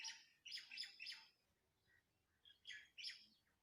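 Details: Birds in Andhra Pradesh, India give rapid clusters of high twittering chirps, several notes close together, then a short lull before another lively chattering burst.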